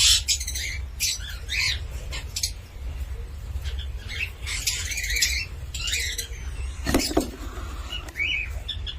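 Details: Cockatiel calling in short bursts of harsh, harmonic chirps and squawks separated by brief pauses, over a steady low hum.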